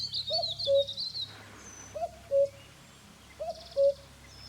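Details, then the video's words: White-throated laughingthrush at Chopta, Uttarakhand, India, in May: a short two-part whistled call, a brief rising note then a steady one, repeated three times about every one and a half seconds, with thin high chirps above and faint background hum. "White-throated Laughingthrush Bird Video"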